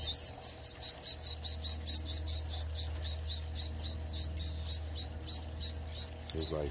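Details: Several Gouldian finches in a new backyard aviary, filmed on a Samsung Galaxy Note 9, give a steady stream of thin, very high chirps, about three per second, over a low hum, with a brief low rustle at the end.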